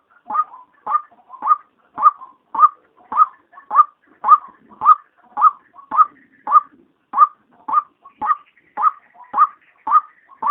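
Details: A steady run of about twenty harsh, identical 'kruak' notes, close to two a second, from a female white-breasted waterhen. It is played by day as a lure for waterhens, with no other sounds.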